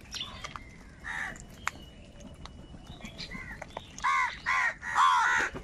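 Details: Wild crows feeding in a crowd: faint distant caws at first, then three loud, rough caws close by, each about half a second long.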